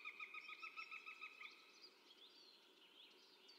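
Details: A female northern goshawk at a forest feeding station in 2019 gives a harsh, nasal kek-kek-kek cackle, the typical goshawk call: about ten quick notes over a second and a half, then fading into soft background hiss.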